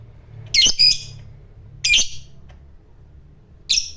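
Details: Lovebird of the fighter type, used as a lure for other lovebirds: three separate harsh, squawky chatter bursts, the first doubled, spaced over four seconds with quiet gaps between.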